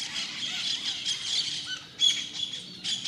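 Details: Morning flock of Dominican parrots squabbling while feeding in mango, almond and guava trees; grating, high squawks run almost continuously, with a sharp loud burst near the two-second mark and another at the end over faint insect hum.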